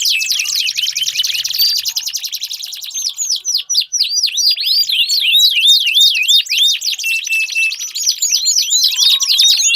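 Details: Canary singing to encourage a silent canary, opening with a fast steady trill, then spaced, arching whistled notes repeated several times a second, ending in renewed rapid trilling.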